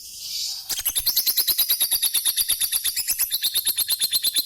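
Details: Lovebird nearly nine years old giving its everyday chatter: after a brief soft hiss, a fast run of sharp, high chirps, about three per second, steady and insistent.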